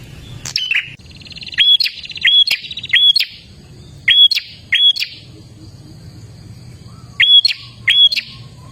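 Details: Song of the olive-backed tailorbird, used to set caged birds singing: rapid series of piercing high notes, each a brief downward-bending chip, delivered in pairs and runs with gaps between bursts; a steady faint hum below.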